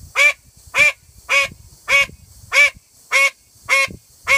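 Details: A female call duck gives an all-out loud call, eight evenly spaced nasal quacks in quick succession, roughly one every 0.6 seconds, harsh and ringing, with soft background shuffling.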